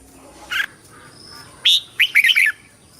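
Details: Competition singing of a red-whiskered bulbul, meant for calling the flock and voice training: a lone sharp note, then a quick rising whistle and a fast tumbling run of clear warbled notes.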